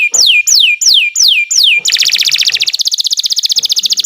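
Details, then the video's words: Canary singing long phrases, intended to teach birds that stopped singing: five loud descending whistled sweeps, then a dense, rapid buzzing trill that speeds up into quick repeated chips. "Kicau Burung Kenari 156 II LUAR BIASA GACOR PANJANG Cocok untuk Masteran"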